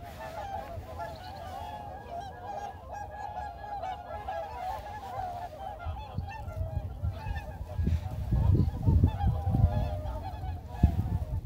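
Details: A flock of whooper swans on the Baedalji reservoir, moving forward, keeps up a steady chorus of overlapping bugling honks, with low rumbling water or wind noise underneath.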